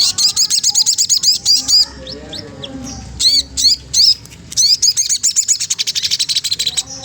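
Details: Magpie-robin song used to provoke a rival and stimulate singing: rapid runs of high, sharp chips and whistled notes, bursts repeated with short gaps, a faint low hum beneath.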